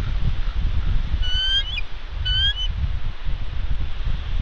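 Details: Female bald eagle at her West End nest on Santa Catalina Island, California, 20 February 2021, calling while ravens harass her as she sits on eggs: two brief high, thin, piping chirp bursts with steady low wind rumble.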